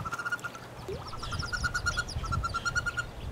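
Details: Nest-box wood duck nestlings with a hooded merganser chick present, 2013 season; bursts of clear peeping in fast series, broken by a short pause, over low background hum.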